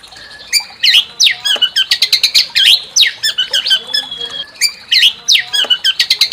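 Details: White-rumped shama song used to provoke another bird into singing its full repertoire: a dense, loud run of varied chattering phrases, sharp downslurred notes and rapid trills, with one long thin whistle held in the middle.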